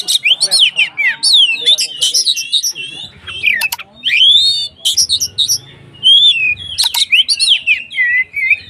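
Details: White-rumped shama in song, used to provoke other shamas into singing: loud, varied phrases of sweeping whistles, sharp downslurs and harsh chatters, rich and fast, with brief gaps and a low hum beneath.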